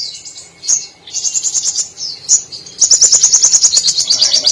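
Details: Brown-throated sunbird in full song, its singing filled with imitated canary, cililin, sparrow and lovebird phrases; high whistles and slurred notes run into a long, fast, even trill of sharp chirps.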